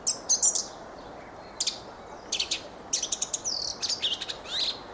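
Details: Fieldfare singing a dense run of scratchy, rattling squeaks and clicks interspersed with high thin whistled slurs, the phrases coming in quick succession with little pause, over low background hiss.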